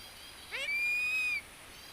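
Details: Philippine eagle calling while a person strokes it from head to foot: a quick upward-sweeping onset, then one long, thin, steady high whistle held for about 0.7 seconds, with quiet background hiss.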